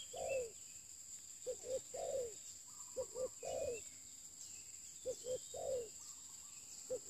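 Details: Newly acquired lure spotted dove giving low, repeated three-note coos, the last note longest and falling; short whistled notes of other birds and a steady high hum in the background.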